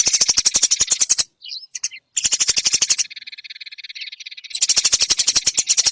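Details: Eurasian tree sparrow, used for training songbirds, delivering loud, rapid, harsh chatter, a gap with a few isolated chirps, more chatter, a quieter buzzy trill, then loud chattering again.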